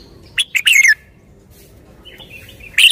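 A red-whiskered bulbul gives a quick burst of bright, bubbling notes, a soft warble, then one loud sharp phrase at the end.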